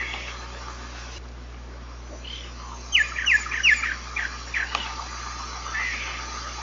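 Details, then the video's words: Giant cowbird, called iraúna de bico branco or xexéu bico de osso, singing: three loud, quick, sharply falling whistles, then a trail of softer repeated notes and a brief warbling phrase. "canto do xexéu bico de osso ( xexéu boe, irauna de bico branco.)"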